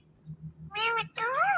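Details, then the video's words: A talking ring-necked parakeet gives two brief, voice-like utterances, the second swooping up then down, over a faint low hum. "Ring Neck Talking Parrot |بولنے والے پیرٹ"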